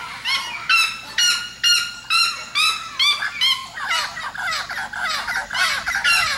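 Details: Red-legged seriema yelping in a loud, repeated series, the later notes becoming rougher and overlapping as a second voice seems to join in.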